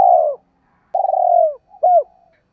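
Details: Decoy spotted dove used to lure and quickly stir wild doves into cooing, song style called giọng thổ: a long, rolled, falling coo, then a pause and two shorter hooked coos, clean and quiet behind.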